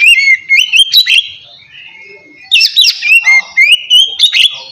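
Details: White-rumped shama singing relaxed 'ngeplong' style to prompt lazy birds: two bursts of clear whistled notes and sharp chips with a brief quiet gap between them.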